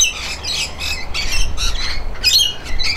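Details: Rainbow lorikeet calling while bathing: rapid run of harsh, grating squawks, one after another, over a low background rumble.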